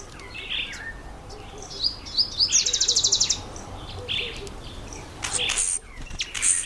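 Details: Red bishop during breeding season among reeds and bulrushes; a rapid buzzy sizzling burst lasting under a second amid varied chirps and chatter from other birds.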